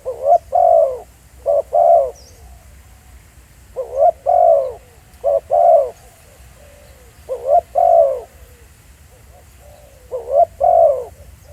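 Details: Spotted dove cooing live in the field. Its phrases repeat roughly every three seconds. Each is one or two clipped notes followed by a drawn-out descending coo. There is steady faint low background noise.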